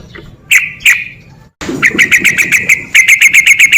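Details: Sooty-headed bulbul (trucuk) 'ropel' lure: two sharp chips, a pause, then a brisk series of evenly spaced bright clicky notes, about four per second, quickening at the end.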